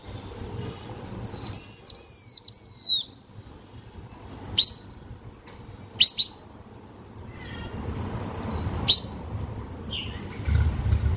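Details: Blue-winged minla singing a lure song to draw in birds: clear high whistles gliding downward, bursts of rapid stuttered notes and sharp upswept chips, repeated several times with short pauses, on a quiet background.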